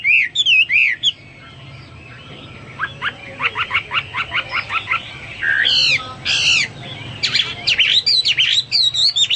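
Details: Hwamei in full song, meant for tutoring pet birds: opening whistled loops, then a string of short rapid clipped notes, harsh buzzy bursts, and more looping whistles to finish.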